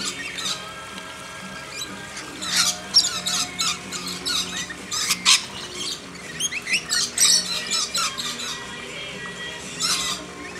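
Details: Several lorikeets hand-fed in a backyard keep up a chatter of short, harsh squawks and screeches, coming in irregular clusters throughout and loudest near the middle.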